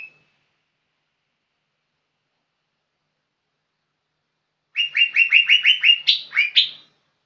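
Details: Young lesser green leafbird in energetic song. A long silence ends in a rapid run of about eight clipped, rising chirps, closed by two higher, emphatic slurred notes. Nothing else is heard.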